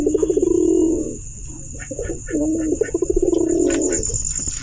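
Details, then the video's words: Pigeon giving a call described as a fiery coo: two low, rolling, throaty cooing bouts of about one and a half seconds each, pulsing rapidly, separated by softer grunting notes, over a steady high-pitched hiss. "কবুতরের আগুন ডাক🔥Pigeon Noises Pigeon Sound কবুতরের ডাক Kobutorer Dak Pigeon Bird"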